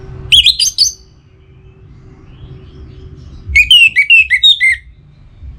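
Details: Orange-headed thrush from northern Bali, Singaraja, in breeding condition and calling a rival: two bursts of bright whistled, warbling notes three seconds apart, the second a run of about six quick falling slurs, low background hum between.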